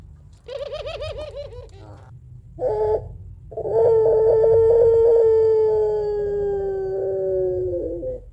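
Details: Puter pelung, a Barbary dove kept as a lure for other doves at home, gives a long 'crying' two-note coo: quavering wavy coos, then a steady drawn-out tone sliding gently lower for about four seconds.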